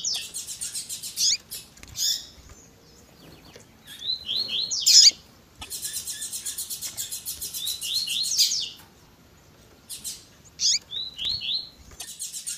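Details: Tui tui zel zel song of the double-collared seedeater with female chirps: long dense stretches of rapidly repeated high buzzy notes broken by brief pauses and sharp chips.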